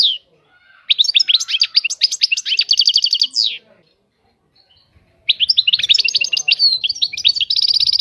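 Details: Two bursts of European goldfinch song separated by a silent pause: each a quick cascade of bright twittering notes and rolling trills, the second ending in a steady rattling repetition.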